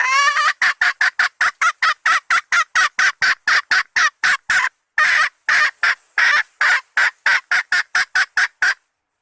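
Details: Hen red junglefowl lure call meant to attract males: a long, steady series of short, clipped, harsh notes repeated several times a second, with one slightly longer note midway.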